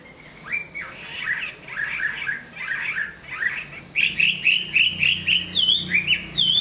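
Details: Big-bodied Chinese hwamei, a strong singer and fighter growing fresh plumage, gives softer slurred downward whistles. It then switches to a louder string of rising, looping whistled notes about twice a second, with a few high sharp chips at the end.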